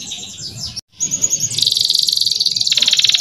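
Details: Male canary song for tutoring young males, opening with jumbled high notes, a brief break, then a long rapid trill of regular pulses that drops slightly in pitch near the end.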